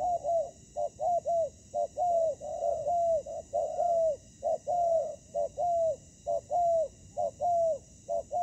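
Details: Ground-trapping spotted dove decoy facing wild rival doves: a steady series of hollow coos, short clipped notes each followed by a longer slightly falling one, repeated about once a second for eight seconds without pause.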